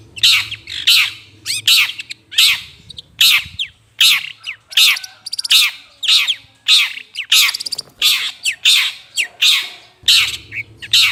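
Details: A long-tailed shrike, in a lure recording for attracting birds, delivers a long run of grating, scratchy squawks, roughly 80 per minute, each a brief descending rasp, with a faint low hum at times.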